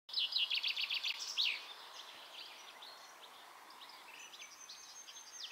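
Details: Goldfinch singing near La Croix-Tasset, Saint-Nicodème, Côtes d'Armor, Brittany, France, on 13 June 2012: an opening burst of fast, bright, tinkling twittered notes, then softer scattered chirps and a thin high trill over faint outdoor hiss.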